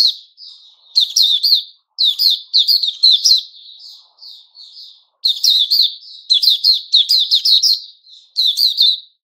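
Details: Opening song ("buka") of a white-rumped shama, recorded 29 August 2021. Loud bursts of rapid, sharp high notes alternate with quieter, drawn-out warbling passages.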